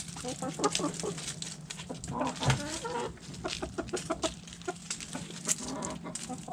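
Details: Backyard chickens eating food scraps: hens cluck and murmur in short broken notes through a busy backdrop of pecking, scratching and low rumbling noise.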